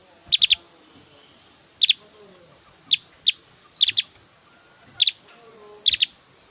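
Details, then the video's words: Javan grey-throated white-eye singing actively, with a song of whistles and loud 'tembakan' (shot) notes kept as tutor audio for training other birds: sharp high chirps in tight bursts of two or three, repeated about every second, over quiet background. "SUARA SIULAN JUGA TEMBAKAN 💯 DAHSYAT BURUNG OPIOR JAWA GACOR"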